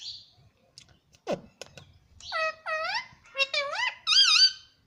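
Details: Pet green ringneck parrot talking, repeating mummy and papa: after clicks and a quick swoop come a string of five or six tonal, bending syllables, the last one wobbling high.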